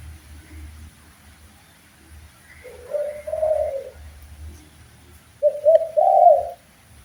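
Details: Spotted dove cooing from a master recording for training birds: two separate rolling, slightly quavering coo phrases about three seconds apart, with a low rumbling background.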